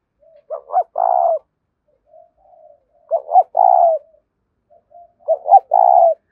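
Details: Spotted dove giving the 'thúc' style coo, a voice meant to draw wild doves in: three clear cooing phrases roughly two seconds apart, each two short low notes and then a longer, rolling coo, with quiet gaps.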